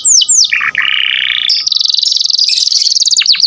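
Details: Canary in energetic 'gacor' singing, kept as a tutor recording for training other songbirds: two high descending whistled slurs, a buzzy mid-pitched note, then a fast, even, rattling trill held for two seconds and closing with sharp downslurred notes.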